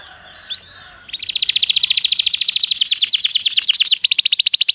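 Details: Canary song meant to prompt another canary to sing: after a brief chirp, a long loud rolling trill of fast high repeated notes runs for over three seconds, shifting slightly higher near the end.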